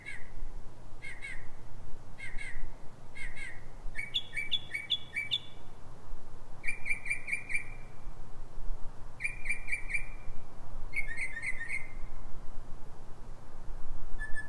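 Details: Northern mockingbird singing at night, 3:44 am pre-dawn, Silver Spring, Maryland, USA: a series of distinct phrase types, each a chirped or buzzy note repeated three to five times before changing to the next, over a steady low hum.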